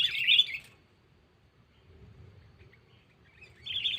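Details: Sooty-headed bulbul calling to a rival for luring: a dense half-second burst of chirps, a long quiet stretch with low rumble, then another chirpy phrase starting near the end.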